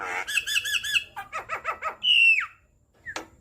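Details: Javan myna singing, a master recording for training and prompting captive birds: rapid wavering nasal notes, a series of bouncing squeaky phrases, then a long loud whistle that falls sharply, ending with a short click.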